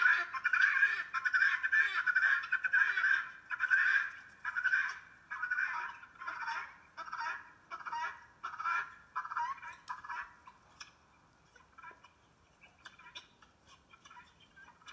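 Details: Harsh, rhythmic guineafowl calls repeated roughly every second, loud at first and gradually fading, with the calling dying away after about ten seconds into near silence.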